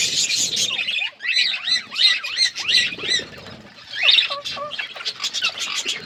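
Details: Outdoor aviary budgerigars eating seeds among forest surroundings; a run of arched, looping chirps followed by quieter warbled notes and a short burst of chatter.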